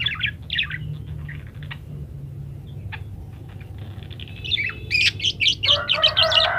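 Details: Chatty parakeet song for tutoring other cage birds: scattered squeaky chirps at first, a quieter stretch, then a burst of rapid, loud, twittering notes with rough squawky elements near the end, low background hum throughout.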